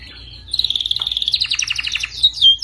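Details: Canary song used as a training recording for other canaries: a steady whistled note near the start, then fast repeated trills of rapid notes and a sharp whistled ending.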